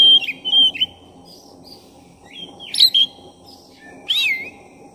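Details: Black-breasted oriental magpie-robin singing actively, used as a lure to rouse another magpie-robin; loud clear whistled notes and slurred rising-falling phrases in three bursts about two seconds apart, over a steady low hum.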